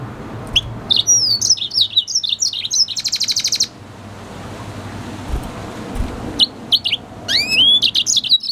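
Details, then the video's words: A red hooded siskin crossed with a canary (F1 hybrid) sings a varied, twittering song of high chirps and slurred whistles, with a dense buzzy burst in the middle, a short pause, then rising whistled notes. "Red hooded siskin singing | Cardenalito venezuela cantando | Carduelis Hybrid | Spinus f1 canary mix"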